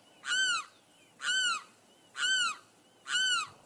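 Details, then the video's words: A limpkin repeats its loud, ringing wail four times. The calls are evenly spaced just under a second apart, and each one is a rich, arched cry. Faint background hiss. "The soothing song of the limpkin"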